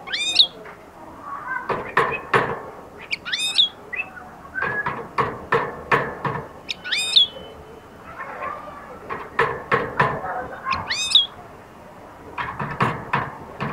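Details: European goldfinch beginning to sing and attack: short high sweeping notes, rising then falling, come in bursts every few seconds among loud knocking and tapping clicks.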